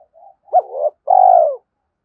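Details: Spotted dove decoy call used to provoke wild males. A short soft low coo comes first, then a louder hooked coo. It ends with a long, steady, slightly falling coo with a throbbing texture. The background is quiet.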